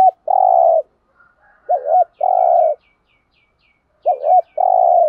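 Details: Spotted dove giving a stimulating lure call: long level coos alternating with hooked double notes, while a series of faint high chirps runs in the background.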